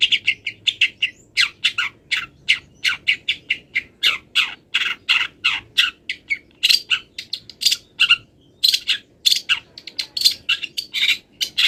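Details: Long-tailed shrike in molt pouring out a long, fast series of harsh raspy notes and chirps from its wild-bird-mimicry song, several per second with only brief gaps.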